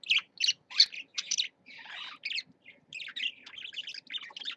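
Parakeet chattering in quick, scratchy, high-pitched bursts, about three a second, mixed with a brief buzzy trill, with no other sounds.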